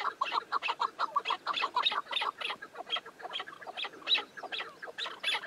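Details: Rapid run of harsh clucking notes from a chukar partridge, roughly two per second and irregular, some doubled, with the calls varying slightly in loudness.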